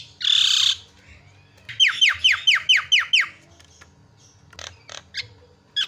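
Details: Javan myna singing loudly: a harsh rasping burst, then a fast series of six descending whistled slurs, followed by scattered sharp clicks.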